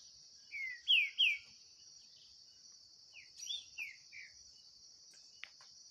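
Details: Green-winged saltator dueling in song with a bird free in the bush: two strong downslurred whistles early, then softer falling notes later, a constant shrill insect buzz throughout.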